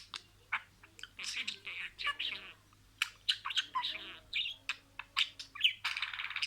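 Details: Budgerigar reciting words: soft, raspy murmured syllables mixed with sharp clicks and brief chirps, rising into louder hoarse bursts near the end.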